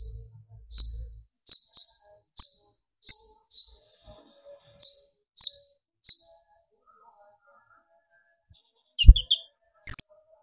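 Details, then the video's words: Konin sunbird song meant to stir other birds to sing: thin, sharp high notes repeated roughly every half second in a steady series, a brief buzzy trill, then a pause and a few clicks and a final high whistle. "burung konin gacor pancing tembakan konin dari yang trotol sampai full metalik nembak emosi"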